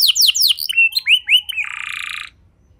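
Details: Canary singing to draw other canaries into song: a few steep downward-sweeping notes, short upslurred chips, then a dense buzzy trill that fades into quiet.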